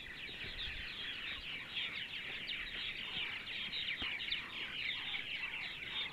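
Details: Purple martin colony chatter on a sunny Sunday morning in central Ohio, a continuous busy stream of liquid, scratchy chirps and warbles from many birds, with little background noise.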